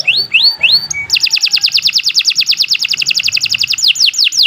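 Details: Canary in full song, meant for tutoring other songbirds: a few rising slurred whistles, then a long fast series of bright descending notes, ending with louder swooping whistles.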